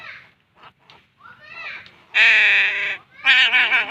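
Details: Young crow begging as it is hand-fed: soft broken squeaks and rustling first, then a loud, raspy, nasal cry of nearly a second, followed by another harsh burst.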